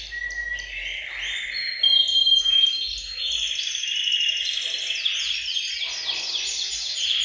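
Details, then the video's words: Several canaries sing together in a bird room to stimulate males to sing. Dense, overlapping high trills and rapid repeated notes form a continuous chorus, with a few clear sustained whistled tones threaded through. "أقوى تحفيز لتغريد وتجهيز الكناري، تغريد جماعي في غرفة الطيور سيجعل طيورك تغرد مباشرة"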